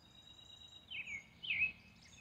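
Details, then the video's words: European robin singing in the early evening: two short warbled phrases of high, thin whistles sliding down then wavering, with a faint steady high tone and quiet background hiss. "Robin singing an early Evening song"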